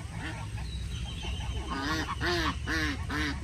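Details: In Puebla, Puebla, in 2020, ducks sharing their space with pigeons during the pandemic give a growing series of harsh, arched, nasal quacks, about two each second, louder toward the end, over a low background rumble.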